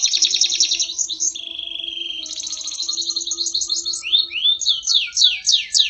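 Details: Award-winning canary singing energetically: fast high trills, a brief steady whistled note held about a second, then more rolling trills and a run of descending swept notes repeated several times per second.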